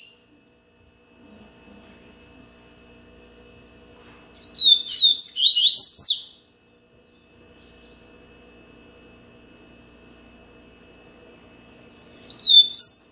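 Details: Captive Double-collared seedeater, Bahia singing style, delivers a two-second phrase of sharp high whistles and clipped downslurred notes. After silence, a second phrase begins near the end, with faint low hum in the gaps.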